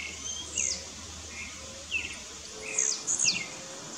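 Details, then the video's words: Blue-black grassquits disputing in the bush: high, thin notes dropping steeply in pitch, with a close pair near the end, alternating with lower buzzy chirps, over insect hiss and faint low whistling from other birds. "Disputa de Tiziu no mato."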